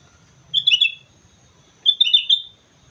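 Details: Sooty-headed bulbul on Mount Slamet singing two brief, cheerful bubbling phrases of rapid slurred notes, about a second apart, in quiet surroundings.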